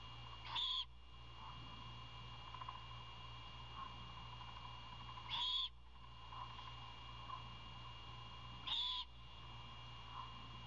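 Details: Owl chick begging for dinner while its father delivers a rodent: three brief rasping screeches at irregular gaps of about four seconds, light background ticks and a low hum.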